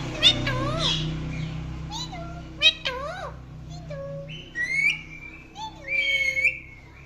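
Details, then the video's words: Indian ringneck parakeet, described as naughty, talking and chirping indoors: wavering, speech-like warbled syllables, sharp clicks and squeaks, then longer buzzy whistled notes with a falling tail, over a low steady hum. "Indian Ringneck Parrot Talking and Chirping Sounds"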